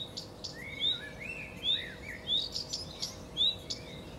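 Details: Common redstart singing: thin rising whistles trailed by lower warbled notes and rapid high clicks, phrases tumbling closely together, steady hum in the background.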